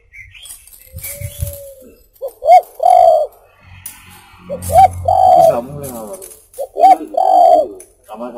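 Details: Spotted dove song meant for luring birds: three repeated phrases of a short upslurred note and a longer, rough cooing note, with a man's voice talking quietly underneath and a faint thin whistle near the start.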